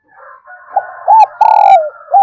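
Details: Spotted dove coo phrase from a decoy recording used to attract doves: arched hoots and a long purring coo that drops at its end, over a steady background hum with a few sharp higher noises.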